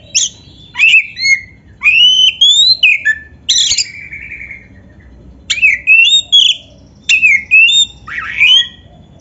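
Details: Oriental magpie-robin (kacer) masteran song, loud and rich: bursts of clear whistled phrases with upslurred and downslurred notes, a brief silence midway, then more varied whistles.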